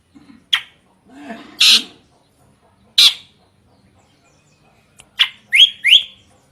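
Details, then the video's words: Drongo delivering loud, varied song: a sharp chirp, a harsh scratchy burst, another broad noisy note, then three quick rising whistled slurs near the end. "Kicauan Unik Srigunting Gacor Suara Kencang Bervariasi"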